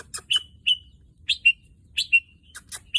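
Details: Red-whiskered bulbul, a one-year-old kept male that has produced albino and pied offspring, utters short ringing whistled notes with a falling tail, about two per second, interspersed with sharp clicks in a quiet setting.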